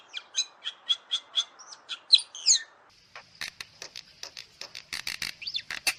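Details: Bali myna, a rare and protected bird of Bali, in a masteran song recording: a run of short bright chirps about three per second, a few rising and falling notes, then a quieter series of dry clicking notes.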